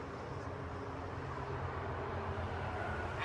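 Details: Low, steady traffic-like rumble and broadband noise, with no animal calling.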